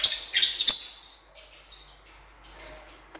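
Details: Blue-winged parrotlet, cuiubinha, recorded for training: a quick cluster of high, sharp chirps at the start, then two separate short buzzy tweets after pauses.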